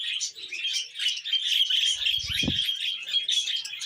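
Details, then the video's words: Happy pet budgerigar chattering: a dense, buzzy, scratchy warble of quick chirps and squeaks running without a break, with one short low harmonic burst just before the midpoint. "Happy Budgie Sounds"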